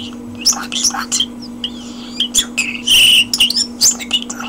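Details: Common starling kept as a pet, perched on a hand indoors, pouring out a busy jumble of slurred whistles, clicks and a long harsh buzzy rattle near the middle, with a constant low hum behind.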